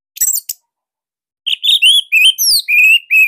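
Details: Orange-headed thrush of Bali singing a master song for spotted youngsters: a few high chips, a pause, then a series of clear, loud whistled and slurred notes in steady succession.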